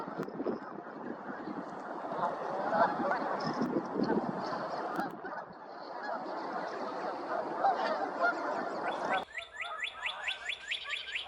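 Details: Canada Geese at Woods Edge Park keep up a thick, jumbled honking chorus for about nine seconds. Then a quick series of high, thin chirping notes takes over.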